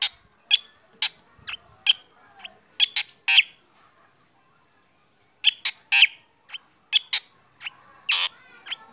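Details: Black drongo singing in the morning while being sunned, its calls said to set other birds singing; sharp broadband chips and harsh notes in two bursts separated by a pause, mostly high-pitched.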